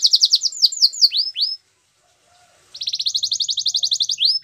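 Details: Training song of a Belgian canary: a fast series of downward-slurred whistles, a pause of about a second, then a quick rattling run of crisp repeated notes closing with two longer swept whistles.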